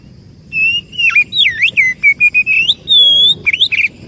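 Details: Oriental magpie-robin, called kacer, in a lure song to attract birds: loud, clear whistled notes in rapid sequence, swooping down and up, a sustained level tone, and a closing twisted phrase.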